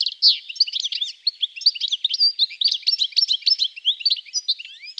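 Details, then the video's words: European Goldfinch (Carduelis carduelis) at a Russian forest edge sings a fast, tinkling, nearly continuous jumble of high liquid twitters and buzzy trills. "Обыкновенный щегол (Carduelis carduelis)"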